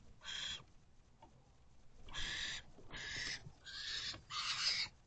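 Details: At a nest-box camera on 26 April 2023, mid-afternoon, a male barn owl brings a rodent to his family. Five rasping, breathy screech bursts come in irregular succession, the last ones loudest and close together.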